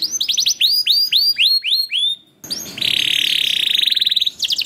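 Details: Canary song in the gacor style, played to set other canaries singing: a series of swooping falling whistles repeated about four per second, a short pause, then a long buzzy rolling trill.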